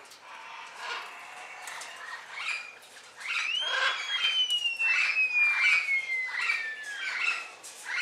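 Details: Yellow-knobbed curassow (Crax daubentoni) singing at a zoo in Olmen, Belgium: a long, thin whistle sliding slowly downward over four seconds, against steady chattering calls from other birds.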